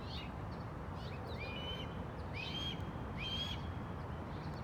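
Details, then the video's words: Eagle chick hidden under a spruce and screaming unseen; a series of short, high, upslurred whistled cries repeated roughly every second, over a steady low outdoor rumble. "Sound of baby eagle. Звук птенца орла."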